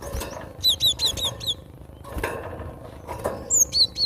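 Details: Gelatik batu, the cinereous tit, giving its natural song: quick series of high, thin, down-slurred whistles in a cluster of four or five, then a pause and another short burst, with faint clicks and low hum behind.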